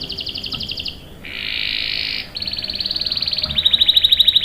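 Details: Canary singing a long rolling 'ngerol' song, used to provoke other canaries into song and to tutor young birds: a quick pulsed trill, then a dense buzzy roll, then steady repeated notes ending in a clear fast whistled trill.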